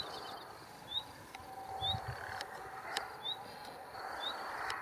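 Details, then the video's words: A singing male Little Bustard gives short, dry snapping notes about once a second, mixed with faint, high rising chirps, over a soft rural background hiss. "Outarde canepetière (Tetrax tetrax) Little Bustard, mâle chanteur"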